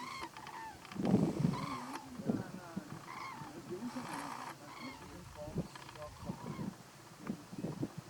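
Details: Eurasian or Common Cranes at close range in the Little Rann of Kutch, Gujarat, India, January 2020: scattered trumpeting bugles from several birds, with low murmuring and rumbling sounds in the background.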